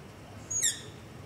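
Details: Begging call of a long-eared owl, captured in darkness near a house using a Zoom H5 with LOM Usi Pro microphone: one brief, thin, high squeak with a falling tail, fairly faint against steady low hiss.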